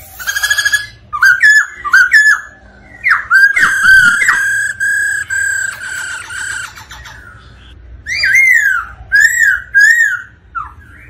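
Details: White-cheeked laughingthrush song and dance, roused by a female's 'ro ro' call: rich loud whistles with harsh rapid stuttering passages in between, ending in rolling up-and-down whistled phrases.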